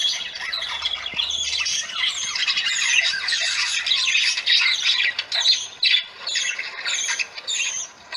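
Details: Several parakeets calling for attention while relatives visit: dense, continuous high squawking and chattering from many birds at once, loud and unbroken.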